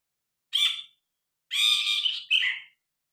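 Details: Grey-cheeked bulbul in full song, phone recording with original sound: a brief harsh burst, a pause, then a longer rough chattering phrase ending in a scratchy downslurred note.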